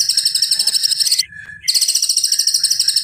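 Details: A white-rumped shama gives piercing cililin-style material, a continuous buzzy, very high rattling chatter that breaks off for a brief near-silent gap and resumes just as intense.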